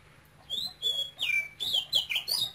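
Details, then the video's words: Male oriental magpie-robin of Cambodian origin singing in a cage: a string of bright high whistled phrases, sliding and swooping, delivered in quick bursts after a short quiet start, with low hum behind. "CHÒE THAN campuchia TRỐNG kêu sung Hót hay một mùa lồng"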